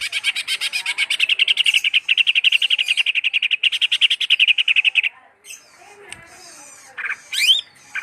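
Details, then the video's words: Continuous rapid chattering trill from a greater green leafbird for about five seconds, then faint notes and a sharp rising whistled sweep near the end. "burung cucak hijau"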